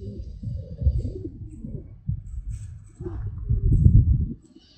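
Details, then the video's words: Pigeons in relaxing nature footage, giving low, throaty rolling coos in bursts around the first and last seconds, with soft background noise between phrases. "Pigeon Sound"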